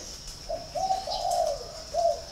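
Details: Spotted dove from a bird farm in Ba Vì, Hanoi, Vietnam, delivering one full cooing phrase: short lead-in notes, a long resonant middle coo, then a final short coo, against a constant thin high-pitched hiss.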